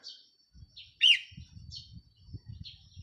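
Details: Decoy red-whiskered bulbul, recorded 4 May 2023, gives thin, high notes and one loud, rich, slurred note. Low thumps and rumbles run underneath.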